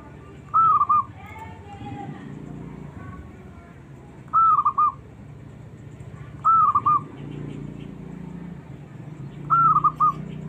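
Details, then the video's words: A small zebra dove calls out looking for a rival, meant to provoke reluctant doves into singing. Four crisp rolling phrases repeat every two to three seconds, with some softer chirps early on and low background rumble. "suara burung perkutut kecil mencari lawan"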